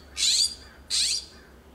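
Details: Loud exchange between California scrub-jays in a Pacific Grove, California backyard: two harsh, buzzy, broadband calls about a third of a second long, spaced roughly half a second apart, with faint low hum behind.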